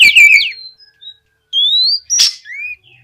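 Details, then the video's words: Oriental magpie-robin singing gacor ngeplong to prompt untrained birds to sing: a brief warbled burst, then spaced clear whistles, one long rising, a sharp click, and a short downslurred note. "SUARA BURUNG KACER GACOR NGEPLONG BUAT MEMANCING KACER BAHAN AGAR LEKAS BUNYI NYAUT & GACOR!"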